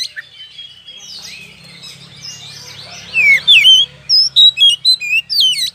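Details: Oriental magpie-robin song meant to provoke other birds to fight: quiet scratchy chatter, then loud varied whistles, slurred rising and falling notes delivered in quick uneven bursts, with a low voice murmuring beneath.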